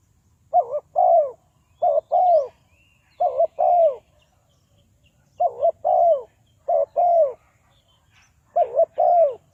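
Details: Lure spotted dove for bird trapping, Ninh Thuận, giving repeated two-part calls. A brief hooked note is followed by a longer falling coo, and the pairs recur about every one to two seconds in six bursts.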